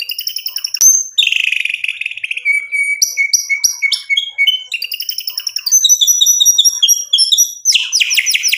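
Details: White-rumped shama in varied song used to provoke rivals: sharp clicks, buzzy trills, steady thin whistles and rapid high chips in quick succession, ending with a loud harsh burst.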